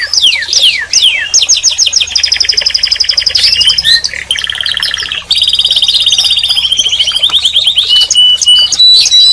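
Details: A canary sings a varied song: quick falling slurs open into stacked buzzy trills, then a lower rolling trill and a long, very rapid high trill that steadies into sustained pure tones.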